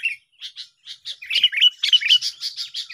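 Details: Sooty-headed bulbuls singing against each other, a sound used to lure birds: spaced chirps speeding into a loud, scratchy, warbling chatter.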